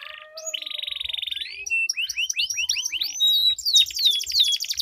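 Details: Canaries duelling in long rolling song, meant to draw song from silent canaries. A steady buzzy trill leads into quick rising-and-falling whistled sweeps, then bright overlapping high notes.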